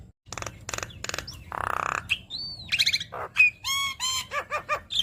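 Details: Javan myna song with many fill-ins, aimed at stirring other mynas to sing: rasping bursts, a long harsh buzz, then arched whistles and a rapid series of looping notes.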